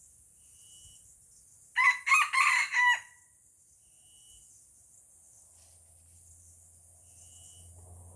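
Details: A red junglefowl in Aceh, Indonesia, lured to a decoy it is fighting, delivers a strong crow of four rasping, stepped notes, with cyclic high insect buzzing and a low hum at the end.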